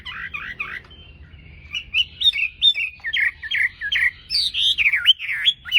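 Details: Domesticated Chinese hwamei in contest singing, greeting the dawn: a few warbled notes, a short pause, then a lively stream of clear, looping whistles rising and falling quickly, growing louder toward the end.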